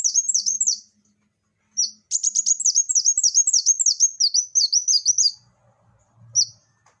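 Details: Lively singing from a Van Hasselt's sunbird: a long, steady string of piercing down-slurred notes at about three per second, framed by shorter bursts and near-silence.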